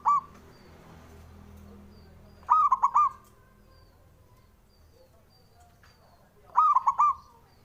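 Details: Male zebra dove, a local Javan singer used to stir rivals into replying: clipped tail of a phrase, then two separate bursts of three rapid, ringing, hollow coo notes.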